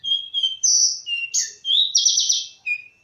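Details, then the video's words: Short burst of bush lark song mixing low steady whistles, a high sustained note, a falling slur and a harsh buzzy trill, ending on a clean flat whistle. "Burung Branjangan"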